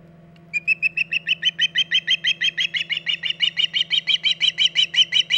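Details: An osprey at the Hog Island nest in August 2019, late morning, gives a long run of piercing whistled chirps, roughly three each second, slightly uneven in strength, over a faint steady low hum.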